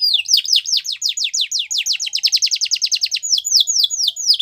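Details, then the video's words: A Yorkshire canary sings a training song of fast, bright, high tours of quick downslurred notes, about eight a second, in a steady roll that speeds up toward the middle. "Yorkshire Canary Singing | Canary Training Song"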